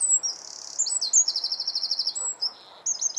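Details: Eurasian wren in song at Alkmaar, Holland, pouring out a loud, high, machine-gun-fast trill of sharp notes, broken by brief pauses and ending in further shrill chattering phrases.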